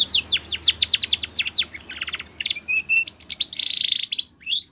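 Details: Training song of a Spanish Timbrado canary: fast runs of sharp descending high notes, then short metallic trills and a steady bright rattling passage near the end.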